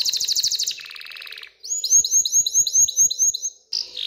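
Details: Canary song stimulating females to mate and nest: a rapid buzzy trill dropping lower, then a neat series of about eight sharp downslurred chirps.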